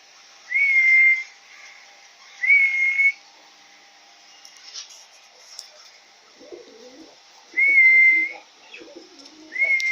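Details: Male grey cockatiel, yellow-phase, one and a half years old, recorded 7 June 2021: clear level whistled notes about half a second long, given in pairs, then a pause and another pair; faint low rustling sounds in the gap.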